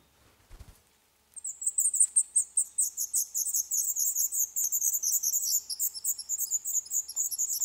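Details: Black redstart chicks in their nest inside an old furnace pipe of a building due for demolition in Poland, on day 11. A soft thump, then from about a second in, dense, very high, rapid chirping begging calls pour out continuously.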